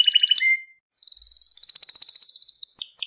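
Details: Training song for young pet canaries: a short trill and a held note, a brief gap, then a long rapid pulsed trill that speeds up and ends in quick chirps.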